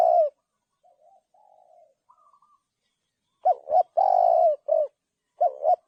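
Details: Spotted dove cooing: a loud short note opens, then after quieter soft cooing a full phrase of two quick rising coos and a long drawn, slightly falling coo, with a short coo after it, and another phrase starting at the end.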